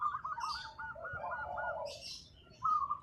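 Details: Local zebra dove in full song, a run of quick rolling coos at a steady mid pitch, then a pause and one more rolling phrase, with faint higher chirping from other birds and a low background rumble.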